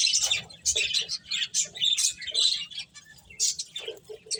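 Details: Finches playing make rapid high chirps and twittering squeaks, with a few lower soft clucking notes repeated toward the end.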